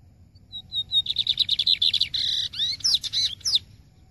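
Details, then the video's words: Maranhão-style song of a lined seedeater, opening with a few thin piping notes, then a fast buzzing trill of repeated notes ending in sharp rising and falling whistled sweeps. "BIGODINHO COM CANTO DO MARANHÃO"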